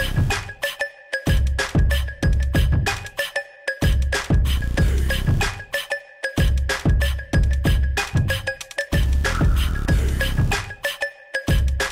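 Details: Electronic music with a heavy, pulsing beat and bright chiming tones, with no animal voice standing out.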